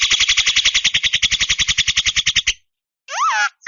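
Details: Javan myna in long, steady song: a fast rattle of buzzy pulses for two and a half seconds, a pause, then a bent, wavering whistle and a short clipped note.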